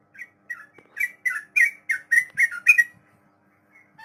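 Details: Sooty-headed bulbul long 'ropel' song for tutoring untamed captive birds: about ten bubbly whistled notes, soft at first, then louder and quicker, ending in a short pause.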